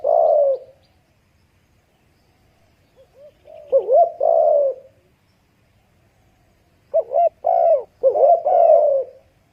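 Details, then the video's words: Spotted dove giving mellow, low cooing calls: a drawn-out coo, then paired short notes followed by a longer rolling coo, phrases separated by pauses of about two seconds, with no other sounds. "spotted dove sound"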